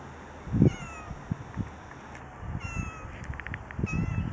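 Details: Common mynas (Acridotheres tristis) in groundsel at Kiryat-Yam, Israel, give a series of short, down-slurred harmonic whistled notes scattered through the recording, over low thumping rumbles and a faint steady high whine.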